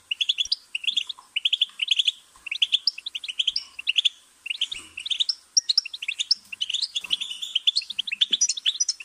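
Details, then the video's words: Goldfinch singing an energetic stream of high, liquid twitters and rapid trilled chirps in repeated bursts with short breaks, clean and bright throughout. "Goldfinch's Singing"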